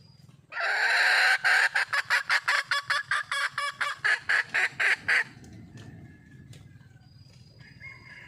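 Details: Red junglefowl calling for a mate: a loud rasping opening note, then a rapid series of short harsh clucks that stops abruptly, leaving faint low background noise and a distant bird call.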